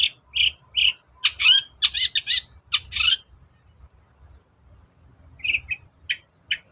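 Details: Long-tailed shrike singing as a lure for a reluctant bird: a rapid series of harsh, scratchy notes and buzzy chatters in the first three seconds, then a pause and a few softer, spaced chirps.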